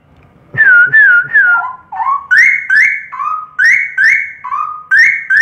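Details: Straw-headed bulbul song of loud liquid whistles: a trio of falling notes opens, followed by a steady alternation of low and high sustained whistles, each roughly half a second long, in a lively rolling rhythm.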